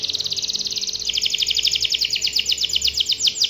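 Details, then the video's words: Canary (kenari) singing in energetic gacor style: a dense, continuous run of rapid high trills that rolls along without pause, shifting to a slightly lower, choppier trill partway through, over faint background noise. "kenari mana yang tidak ikut gacor dengar suara kenari gacor ini"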